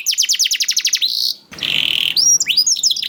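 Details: A young canary sings to prompt hesitant canaries to sing. A rapid series of high repeated notes runs into a steady sustained whistle, then an abrupt cut leads to scattered rising and falling notes.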